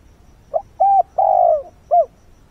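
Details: A decoy spotted dove coos at first light to attract wild doves, giving a single phrase of four mellow notes: a short opener, a steady coo, a long sagging coo and a clipped final note, over faint background hiss.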